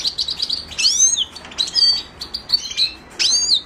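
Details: Himalayan goldfinch (Carduelis caniceps) song with liquid, arching whistled slurs mixed with quick twittering chips, delivered in short phrases with brief pauses between.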